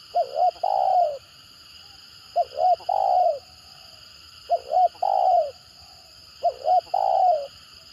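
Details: Stuttering spotted dove coo of the 'gagap' type: four phrases, each made of two clipped notes and then a longer sliding coo, spaced roughly two seconds apart, with an electrical whine throughout.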